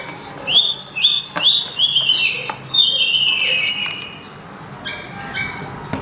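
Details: Tledekan gunung, also known as sulingan, singing clearly and loudly: quick chains of whistled notes, each slurred downward, packed closely, then a quieter spell with a few scattered notes.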